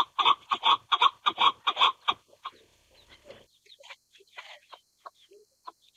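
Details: Chukar partridge: a rapid string of loud, grating clucks for two seconds, then trailing off into faint, scattered chuckling notes.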